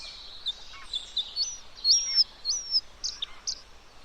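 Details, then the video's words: Bluethroat, a bird known locally in Bengali as nilgola fidda, giving clear high whistled notes, several drawn-out level or slightly rising tones and short bright phrases, spaced irregularly over faint background hiss. "নীলগলাফিদ্দা | Bluethroat Bird | Bluethroat Call | Bluethroat Sound"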